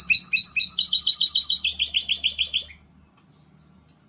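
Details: Goldfinch hybrid (mixto) singing: a fast run of bright, sharp chirps, about ten to twelve per second, stepping slightly lower midway, lasting under three seconds before silence.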